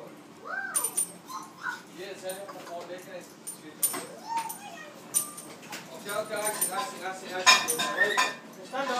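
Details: Six-month-old African grey parrot playing on its rope swings indoors, giving a series of arched, rising-then-falling whistled notes and chattering vocal sounds, with clicks and rustling from the swings in between.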